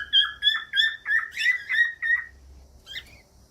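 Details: Cockatiel chirping a run of about eight short, evenly spaced whistled notes at a steady pace. The notes are followed by a quiet gap and one brief squawky note, over a faint low hum.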